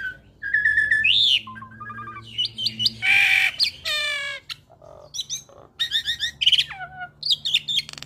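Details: Hybrid Asian pied starling (Asian pied starling x Nias hill myna) pours out a varied, chattering song used as a tutor recording: whistled notes, harsh squawks, buzzy rattles and rising slurs in quick succession.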